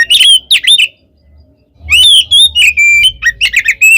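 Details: Oriental magpie-robin giving a loud 'ngeplong' fighting song used as bait to provoke other magpie-robins: a short burst of sharp whistled and buzzy notes, a one-second silence, then a dense run of varied high whistles and trills.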